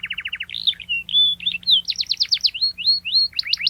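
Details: Lively canary song to challenge rivals: a fast low trill, varied whistled and buzzy notes, a burst of rapid chirps, then downward slurs and a final high stutter.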